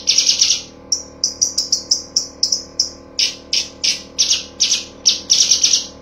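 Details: Cucak cungkok tembakan used as songbird training material: a brief trill, then a steady string of loud, sharp, high chirps about three per second, some doubled. Faint hum underneath.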